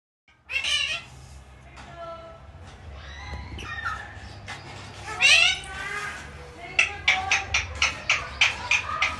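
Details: Pet talking parrot that says "mummy"; varied squawky voice-like sounds and sliding tones, ending in a quick series of sharp repeated squeaky calls.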